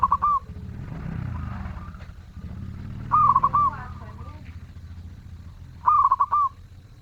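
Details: Zebra dove song, three clipped, rolling coo phrases spaced about three seconds apart, heard over passing vehicle noise and a low background rumble.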